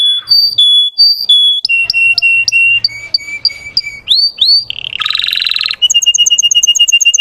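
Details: Caged Russian canary song meant to excite untrained birds: alternating high and low whistled notes, rising slurs, a dense buzzy burst, then a fast even trill.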